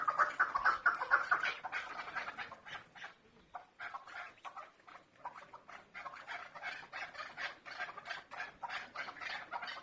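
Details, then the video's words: Female chukar partridge, loud rapid clucks at the start that soften to a looser, quieter run of chuk notes with brief gaps. "keklik sesi chakor birds voice awaz sound bird dasi farmi female madi"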